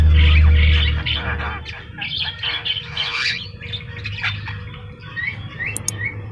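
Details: Javan myna, a kept bird, chatters in a busy run of harsh, grating notes and squeaky whistles, ending in a few short rising whistles, over a steady low rumble.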